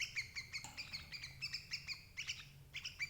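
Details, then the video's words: Sooty-headed bulbul, recorded to lure and trap adult birds, giving rapid chirping notes with ringing overtones, bunched into quick bursts several times a second over a faint low hum. "suara burung crucuk ampuh jebak indukan"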